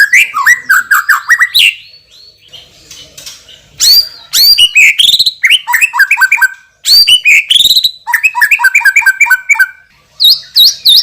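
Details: A white-rumped shama, a contest champion with a strong, loud voice, pours out varied song: rolling repeated whistled notes, rising slurs, sharp chattering clicks and a high trill near the end, with brief pauses.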